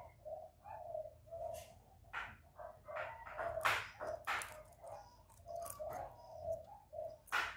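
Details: Spotted dove (cu gáy) cooing, a recording played to stimulate kept doves. Low hollow coo notes repeat steadily about every half second, with sharp clicks and rustling knocks mixed in.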